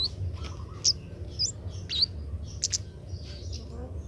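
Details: Young Oriental magpie-robin, a bird still learning to sing and being trained to sing sooner. Scattered short, sharp chirps and brief whistled upslurs come at irregular intervals over a steady low hum.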